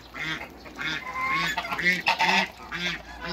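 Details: Hybrid Cayuga duck meeting female Muscovy ducks: loud, nasal, honking quacks about twice a second, rough and buzzy, with overlapping calls toward the middle.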